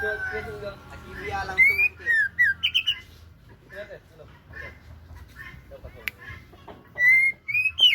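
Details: Female white-rumped shama, called murai aceh, sings short clear whistled phrases, some rising and some falling, with brief pauses; a faint hum underlies the phrases.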